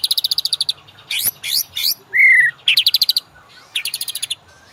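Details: Master song of a White-rumped shama used to train caged birds: fast pulsed chatter, sweeping upslurred notes, one clear down-sliding whistle, then further rattling pulse series.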